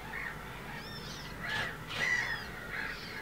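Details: Two wild Eurasian coots feeding their small chicks; short harsh calls with bright upper tones rise and fall several times, loudest around the middle, over a low steady background rumble.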